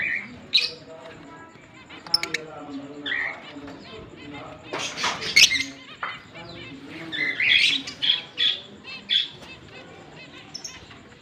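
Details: Pair of green Fischer's lovebirds kept as pets, chattering: scattered sharp squeaks early, then a thick run of shrill rising and falling chirps and twittering bursts toward the end.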